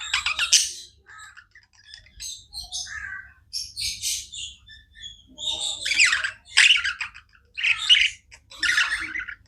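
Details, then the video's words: Budgerigars kept as pets give a long stream of chirps: scratchy squawks and warbled bursts repeated about once a second, some high and hissy, others lower and grating. "Budgies non stop chirping sounds"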